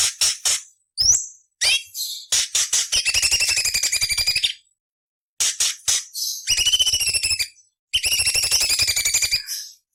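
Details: Coarse fill variations of a cucak cungkok meant to train shama, green leafbird and magpie-robin: stuttering clusters of buzzy notes building into long rattling trills, separated by brief pauses, with a few whistled slurs.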